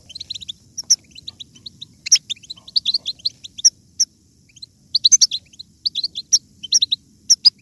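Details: European goldfinch song meant to spur other goldfinches into strong singing: bursts of high, liquid twittering notes, clustered phrases with brief pauses, some sharp upper chips, over a faint low rumble.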